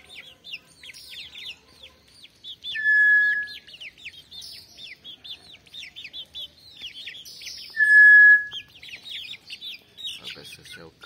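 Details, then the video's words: Brown tinamou whistling a pure, level note of about half a second twice, about five seconds apart, the second louder, over constant high twittering of many small birds. "O belo canto da inhambu/nambu preta"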